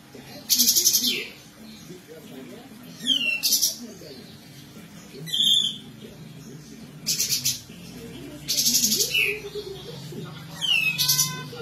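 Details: Kapas tembak bird in besetan singing style, used as a master song for training other birds: six loud rattling bursts of fast buzzy notes every one to two seconds, some ending in sharp down-slurred whistles, with faint low warbling behind.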